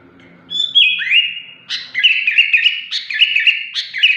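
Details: Sooty-headed bulbul uttering a shrill, unusual song: a falling whistled slur opens, followed by rapid sharp chirped phrases repeated several times.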